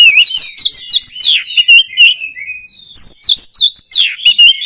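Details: Oriental magpie-robin song, used to train other birds of its kind: dense chattering and twisting whistled notes, a brief softer lull near the middle, then loud bright phrases resume.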